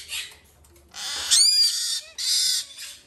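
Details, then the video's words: During hand-feeding, a male White-bellied parrot chick of the green-thighed form makes two hissing rasps. A short, rising whistled squeak opens the first rasp. "シロハラインコ グリーンタイツ 雛へのさし餌"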